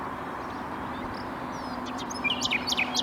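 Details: Common nightingale song recorded 14 April 2021 in Bursa: a quick burst of sharp, high chirped notes near the end, rapidly repeated, over a steady low hum and background hiss.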